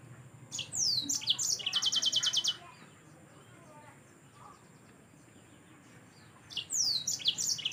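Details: Yellow-fronted canary singing, kept as a tutor bird for training other songbirds: high rapid trills and descending whistled sweeps in two bursts separated by a few seconds of quiet hiss.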